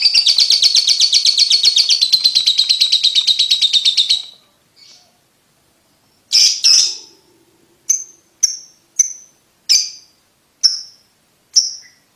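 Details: Lovebird ticking call used for training young birds to trill quickly: four seconds of rapid shrill pulsing, a pause, then a double squawk and single sharp high ticks spaced roughly half a second to a second apart.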